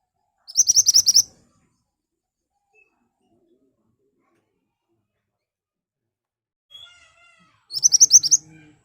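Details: Ashy tailorbird song used as a lure to make other birds answer: two short bursts of rapid, sharp high notes, about eight quick repeated elements each, separated by a long silence with faint softer notes.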